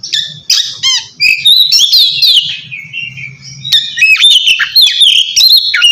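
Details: Oriental magpie-robin in the kacer ngeplong style, calling a rival, used to prompt quiet birds to sing: loud, varied whistled phrases with sweeping slurred notes and quick chirps, nearly continuous, over a low hum.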